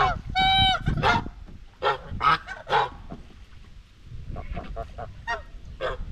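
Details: White Chinese geese kept on a farm, calling among themselves while grazing; a sharp high honk opens, followed by a quick series of shorter brassy honks, then quieter scattered calls over low rustling.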